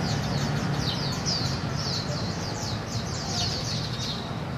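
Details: A family of Warbling (Japanese) white-eyes searching for small insects in bushes gives a rapid stream of thin, high chips and short buzzy notes, several birds calling together over a steady low rumble.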